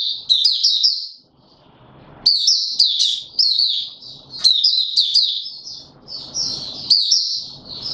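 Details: Recorded 31 December 2021, a caged male white-eye pushed into form pours out dense, high, tumbling twitter phrases, roughly one burst every two seconds, with quiet rustling noise in the pauses.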